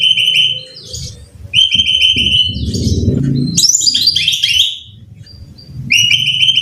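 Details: Brown-chested jungle flycatcher song for training caged birds: repeated sharp whistled phrases on a level pitch, with a jumble of high tumbling notes in the middle, over a steady low rumbling background noise.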